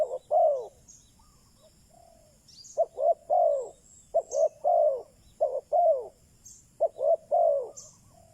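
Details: Spotted dove kept as a decoy for attracting wild doves, cooing in short and long notes grouped in threes with a softer single coo early on, and brief high chirps from small birds scattered through.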